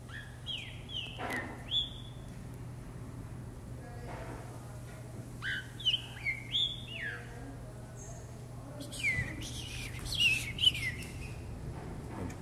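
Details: Caged green-winged saltator singing as it hops, giving three bursts of sliding whistled notes across about twelve seconds, mixed with clicks and knocks from the cage and a steady low hum.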